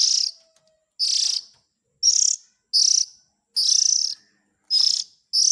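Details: Lure recording of white-rumped shama chicks calling to attract adult birds, seven rasping, hissy bursts of uneven length at irregular intervals, some short and clipped, others drawn out, with no other sounds.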